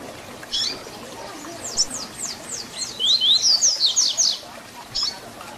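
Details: Double-collared seedeater delivering the fibra Tui Tui Zel Zel song used to teach young birds: quiet scattered high notes swell into a loud, rapid string of paired whistles, then one lone note.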